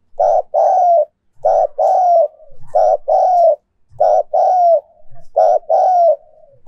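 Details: Spotted dove decoy cooing, used to make a decoy bird coo more often: five repeated phrases, each a short coo followed by a longer, slightly falling mellow coo, roughly every 1.3 seconds, with faint low thumps between phrases.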